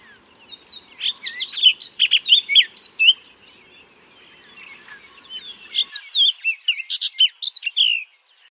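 Baltimore oriole singing a busy run of clear whistles and chattery notes, mostly high, with one long sliding whistle midway and a brief pause.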